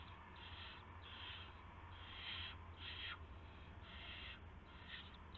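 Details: Nest scene on March 24, 2016 at 1:00 AM, with an owl bringing in a gopher: loud, hoarse hissing screeches repeated roughly every half second to second, steady hum underneath.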